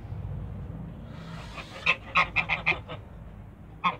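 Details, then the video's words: Toulouse geese, a pair kept in a backyard on a farm in Greece, giving a quick series of short, harsh honks. Six or seven nasal calls follow each other in about a second, then one more honk after a pause, over a low rumbling background. "WILD COUPLE TOULOUSE GEESE IN THE BACKYARD"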